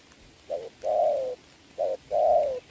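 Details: Two clear Spotted dove coos, each a quick note followed by a long, gently falling hoot, recorded in rain during a decoy and wild bird trapping match on 26 November 2022.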